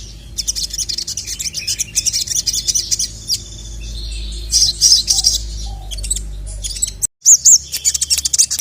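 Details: Sogon (Little Spiderhunter) calling a male on an agitated training track. Quick high twittering phrases are followed by louder separate chirps around five seconds, then a brief silence and a last clear burst of notes.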